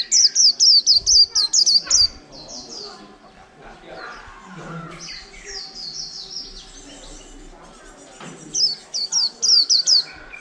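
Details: Caged white-eye, over a month in captivity since capture, singing a líu song. Loud rapid high chirp series, then a long stretch of softer varied twittering, then the fast sharp chirps return.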